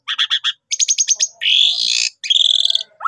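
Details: Gacor jalak suren pancingan lure recording of a Javan pied starling: a few pulsed notes, a quick stuttering series, a long harsh buzzy rasp, then a second buzzy trill and a rising slur.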